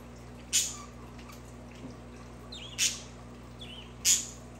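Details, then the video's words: Budgerigar calls for pet budgies: three loud, harsh, clipped chirps spaced over a few seconds, with softer down-curving warbles between them and a low background hum. "Budgies for Budgies"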